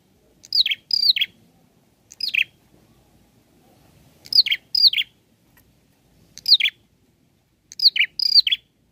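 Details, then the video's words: Bar-winged prinia singing vigorously while seeking a rival; sharp downslurred notes sweeping from high to lower pitch, given singly or in quick doubles, in bursts about every two seconds against silence. "Prenjak Klawu Gacor Cari Lawan"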